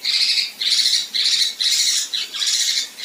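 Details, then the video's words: Harsh 'tembakan kasar' shots from a female kinoi, recorded as tutoring material for contest birds: five or six gritty, buzzy high bursts, each about half a second, repeated almost twice per second with no other sounds. "Besetan Dan Tembakan Kasar Kinoi Betina"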